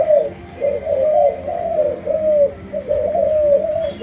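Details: Malaysian-strain spotted dove uttering drawn-out, gently rising and falling low coos, several running together in a smooth phrase.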